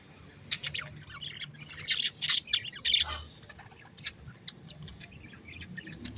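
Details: Very tame pet parrot uttering irregular bright chirps and squeaks, a louder burst of several calls in the middle, then softer scattered tweets, over a quiet background.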